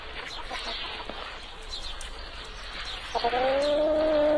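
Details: Chicken sound: a muffled noisy stretch of scratching and faint clucks, then a clear sustained tonal note rising slightly and holding steady at the end.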